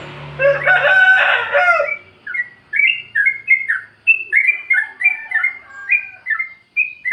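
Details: A harsh, crowing-like burst opens, then a Sooty-headed bulbul delivers its free-style 'plik plok' lure song for caged birds reluctant to sing: rapid, bouncy paired notes, rising and falling, repeated without pause.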